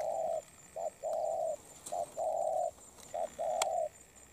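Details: Spotted dove, wild-caught and in moult, cooing with a good voice: low hoarse notes in short-long pairs, three pairs delivered rapidly, faint clicks in the background.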